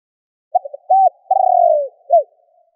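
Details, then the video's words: Calling spotted dove used to stir up rival wild doves. It gives a quick stuttering coo and a short hooded coo, then a drawn-out vibrating coo that sinks at the end, and one last brief coo, over silence. "Chim Cu gáy gọi kích bổi / Tiếng cu gáy kích bổi Hiệu quả"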